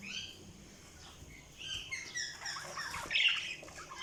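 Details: Budgerigar chatter of rising and falling warbled chirps and short squeaky notes, growing busier and louder in the second half.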